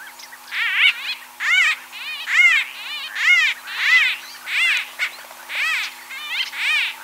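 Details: White-fronted bee-eater (Merops bullockoides) in Kruger National Park gives rolling, nasal, throaty calls, repeated roughly once a second in a steady series, with a faint background hum.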